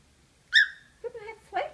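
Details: Domestic cockatiel seeing its reflection in a suitcase and starting to sing. A sharp, clear whistle rings out first, followed by softer, lower chattering and warbled notes in quick succession.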